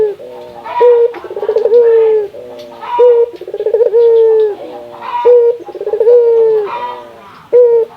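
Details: Local Indonesian puter dove calling to stimulate other doves to call often: rolling, pulsed coos that settle into long, steady, slightly falling coos, with short clipped notes between, repeated about every two seconds.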